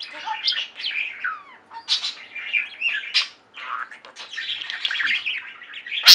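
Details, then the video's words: Pet flock of budgerigars singing: busy chattering warble with sliding whistled notes and squawks, a brief pause, then more chatter ending in a sharp loud click. "Most Beautiful Budgie songs Ever: Budgies singing and chirping"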